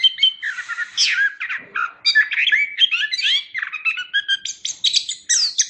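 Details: Chestnut-capped thrush in rich, continuous song: fast tumbling whistles, slurred rising and falling notes and scratchy twitters packed closely together with hardly a pause.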